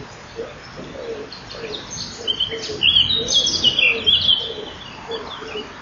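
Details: Common kingfishers at their nest, morning of 12 May 2013, with the male feeding after the female leaves. Soft low ticks repeat about twice a second, overlaid midway by a quick run of shrill high whistles.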